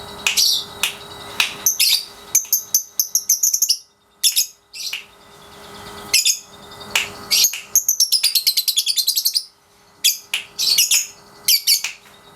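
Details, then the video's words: Pasjo lovebird, 3.5 months old, caged, in daily training aimed at the white-beak ngekek style; long runs of rapid high chattering notes form sustained trills lasting up to two seconds, broken by short pauses and scattered chirps. "Love Bird Pasjo si Vicy Latian Ngekek Harian usia 3,5 bulan"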